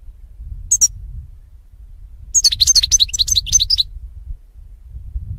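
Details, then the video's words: Training recording of a European goldfinch: a single high double note, then a quick run of about ten sharp, descending tinkling chirps, over faint low hum. "SAKA KUŞU HUYLANDIRMA"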